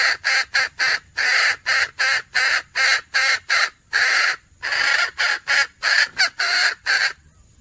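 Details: Female red junglefowl calling to attract a mate, recorded 17 February 2021: a long, almost unbroken chain of harsh, rasping, crow-like notes, delivered about three per second with one brief pause midway.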